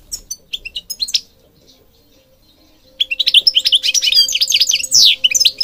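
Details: Singing European goldfinch from Morocco, a bird-training recording: a few scattered chirps, a quiet pause, then a dense, fast tinkling and twittering run; a faint steady low hum underneath.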